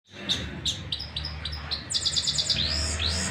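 A canary sings bright high chips, then a rapid rolling trill and rising slurred whistles, over a low steady background hum.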